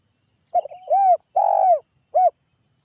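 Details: {'caption': 'Spotted dove (tekukur) calling to draw answers from other doves: a series of low, mellow coos, a short note, two longer swelling coos and a brief final coo, on a quiet background.'}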